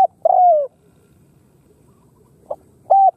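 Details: Khmer spotted dove: a long, smooth coo sliding gently downward, silence, a faint short note, then one flat, level hoot to end.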